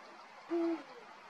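A male Eurasian eagle-owl gives a single deep, steady hoot, brief and low-pitched, against a quiet background.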